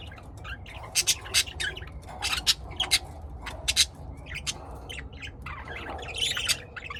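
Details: Home-kept lovebirds in Austin, Texas, USA, giving loud, shrill squawks in quick runs of two or three, about one burst a second, then a denser chattering patch near the end against a soft low hum.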